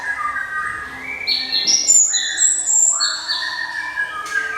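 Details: Java sparrow singing a varied phrase in its ringing 'cemelenting' style: lower whistled tones rise into high, bright piping notes, then drop back, with a short sharp note at the end.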